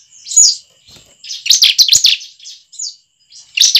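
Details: Shrill, chattering bursts of bar-winged prinia song, used to lure caged birds into singing; an opening chirp, a loud rapid cluster near the middle, scattered softer notes, then a fresh burst at the end.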